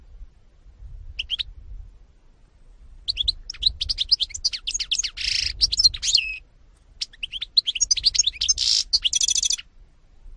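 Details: Song of a European goldfinch (Carduelis carduelis) from 2018: a dense, rambling stream of bright twittering and chirping notes, broken by one short gap and ending in a buzzy pulsed trill.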